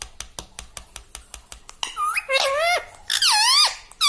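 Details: Evenly spaced tapping clicks, then a pet parrot bursts into nasal, word-like phrases with swooping pitch, repeated in three short bouts.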